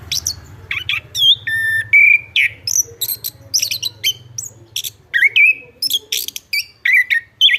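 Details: Chestnut-backed thrush delivering a varied, vigorous song of high chirps, rattles and clear level whistles, some notes sliding down, packed densely with brief gaps; faint low hum underneath.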